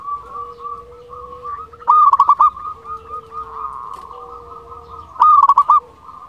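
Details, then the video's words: Local zebra dove in full song, played as a lure to make quiet or lazy birds sing and to raise mating drive: two bursts of rapid rolling, trilled coos near the second and fifth seconds, over steady droning tones. "Perkutut Lokal Gacor Suara Ampuh Untuk Pancingan Burung Perkutut Agar Bunyi"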